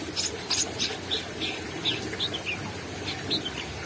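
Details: Brown-throated sunbird singing hard with beak open: rapid, irregular high twittering notes, some short and buzzy, others slurred downward, about three per second, with soft background hiss.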